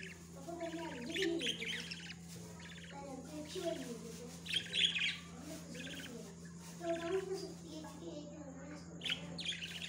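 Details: Budgerigars in a breeding setting while feeding their babies: busy overlapping chirps, squawky chatter and short buzzy bursts, with a steady low electrical hum throughout.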